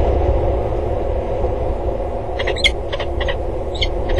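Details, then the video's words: Peregrine falcon calling on 5 February 2013 around 13:13 at a water tower in Axel, during a flight display of circling and diving around the tower; a burst of short, harsh repeated notes over steady low wind-like rumble. "vliegshow met veel geroep"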